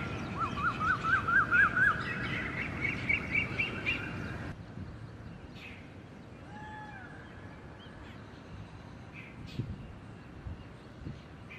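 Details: Red-naped ibis, a pair feeding on ground at IISER Mohali, giving a loud rapid series of repeated nasal, rising-falling notes, then a higher quicker run before the recording quiets to distant faint calls and background hiss.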